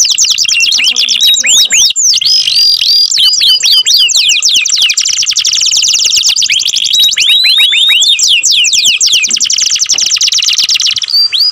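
A canary sings a loud, continuous run of high trills and rapid chirps, shifting between fast rolling phrases and sweeping whistled notes.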